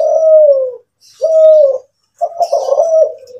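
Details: Kelantan spotted dove, a kept bird described as having a bigger, more melodious coo than local doves, cooing: three mellow low coos, each under a second, level then slightly falling, separated by short pauses.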